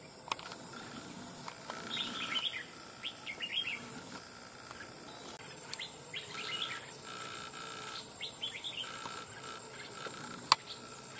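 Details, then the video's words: A wild red-whiskered bulbul caught after nearly two months of trapping, displaying with raised crest and a loud bell-like voice. Short clusters of twittering notes sound every couple of seconds against a steady high-pitched insect hum. "Bổi Cực Lì Sau Gần 2 Tháng 2 Ae Thay Nhau Bẫy.Đã Về Đội/Ché Đè/Bung Xoè/Cực Mau Mỏ Giọng To Chuông"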